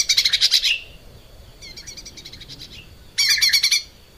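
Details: Lesser green leafbird in full song, caged, recorded to train other cage birds. Two loud bursts of rapid, buzzy, stuttering notes frame a softer run of quick chattering notes.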